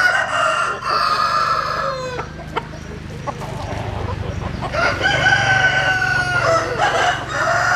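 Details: Dawn crowing from chickens sunning in the morning; a long harmonic crow ends in a falling drawl, then a quieter gap with clicks and low hum before a second sustained crow.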